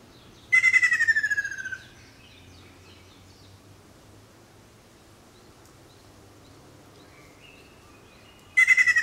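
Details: Ruddy kingfisher calling twice, about eight seconds apart: each call is a quick, pulsed, downward-sliding trill, with faint, distant bird notes and low hum in the pause between.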